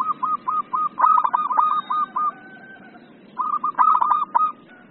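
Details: Zebra dove (perkutut) in an agitated 'emosi' singing style: a rapid run of short, even cooing notes, then a louder rolling, stuttered burst, a pause, and another trilled burst.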